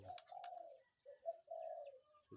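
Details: Spotted dove in the morning: soft drawn-out coos and a short double note, partly masked by clicking and rustling noises close to the recorder.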